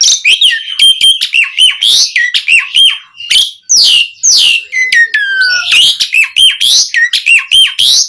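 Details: Asian pied starling in full, energetic song used as a lure to get other starlings singing: a dense run of whistled rising and falling notes, harsh buzzy bursts and sharp chirps packed closely together, with a long descending whistle near the end.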